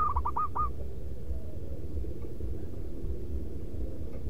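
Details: Local zebra dove lure bird, heard in one quick, loud, rhythmic manggung phrase of stuttered coos right at the start, followed by low droning background noise.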